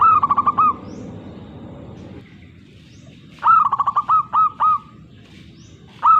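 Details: Perkutut (zebra dove) cooing: fast staccato trilled coos followed by a few longer separate notes, with the phrase repeated over a low background hum.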